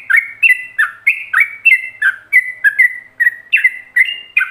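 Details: Yellow-vented bulbul (trucuk) song in the rapid 'ropelan' style, a master recording for other bulbuls to copy: a quick bubbly run of short warbled notes, about three a second, rising and falling, with no other sounds.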